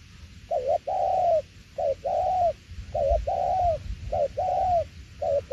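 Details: Cooing spotted dove, "tiểu liên nước" style: four mellow phrases, each a short dipping note and a longer, gently arched coo that falls at the end, repeated roughly every second and a quarter, with low rumble underneath.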